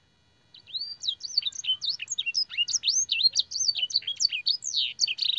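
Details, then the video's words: Canary master song for training, filled with blackthroat and sanger phrases: after a brief silence, a fast stream of varied high whistled and twittering notes begins, rising and falling sweeps tumbling over one another. "burung kenari gacor isian blackthroat dan sanger - suara masteran burung kenari"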